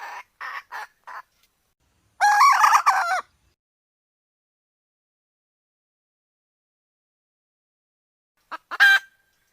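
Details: Hen red junglefowl giving a few short clucks, then a loud harsh drawn-out call lasting about a second, followed by silence and a final brief burst of two sharp notes.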